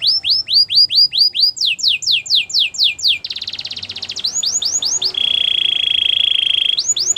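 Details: Canary training song with repeated arched, down-slurred whistled notes, a burst of fine rapid trilling, a few more slurs, then a sustained buzzy roll before the slurred notes return.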